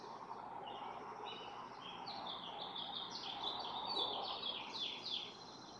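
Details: Barn swallow (Hirundo rustica) pair incubating four eggs in a nest, one bird watching from nearby; rapid scratchy twitter that thickens toward the end amid broad background hiss.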